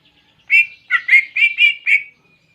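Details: Canary-style phrase from a greater green leafbird: six bright, slightly slurred whistled notes at a steady mid-high pitch, with short gaps between them, in a quiet setting.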